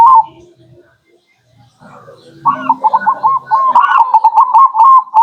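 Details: Local zebra dove used as a lure recording: after low murmuring and a quiet gap, a rapid string of short rolling coos starts midway and runs to the end, with faint background chatter.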